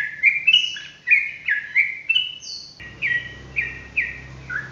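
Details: Sooty-headed bulbul singing lively, rapid rolling song for a tutor recording: bright whistled notes with quick downward slurs repeated about twice a second, one high thin whistle midway, and a low hum in the second half.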